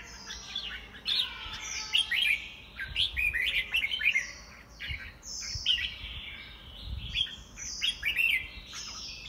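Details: Contest song of a caged white-rumped shama: sweeping downslurred whistles overlaid with quick jumbled chips and trills, delivered in loud pulses with short gaps.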